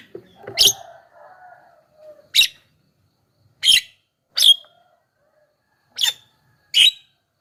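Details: Javan myna sound used as a lure to draw wild mynas: six loud, harsh, rasping bursts, spaced one to two seconds apart, with a few softer low notes near the start and silence between.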